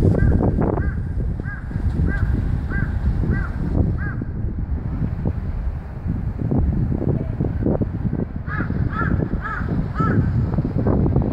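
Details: Crow recorded on 27 April 2015, giving a run of about six evenly spaced, short hoarse caws, then a pause and a second bout of four to five caws, under constant heavy wind rumble.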